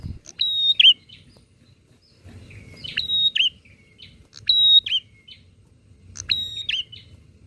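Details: Bar-winged prinia in full song, calling back and forth to provoke other prinias: four loud phrases, each a sharp click, a steady high whistle, then a twisting downward note, with quiet low hum between.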